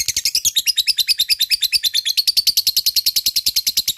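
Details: Lovebird fighter in ngekek, the long chattering song meant to make idle lovebirds sing: a quick, steady rattle of shrill, slightly buzzy notes, rising a little in pitch at the start, around three per second.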